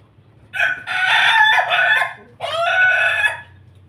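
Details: Pelung rooster crowing in the laughing style while feeding: a loud, harsh, harmonic crow runs about two seconds with a wavering middle, breaks briefly, then resumes with a second drawn-out phrase of about one second before fading.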